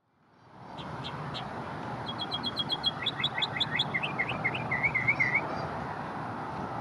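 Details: Northern mockingbird singing from a small cedar elm in Memorial Park, Houston, Texas, moments after single-handedly chasing off about ten American crows; mimicking other birds, it delivers rapid repeated chip series, then wavering whistled phrases, over steady background hum.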